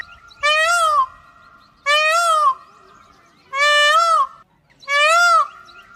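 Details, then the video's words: A peacock (Indian peafowl) gives four loud, nasal, wailing calls, each rising then falling, spaced about every one and a half seconds, over a faint steady background tone. "બાળકો હવે આપણે મોર નો અવાજ સાંભળીએ બાળકો"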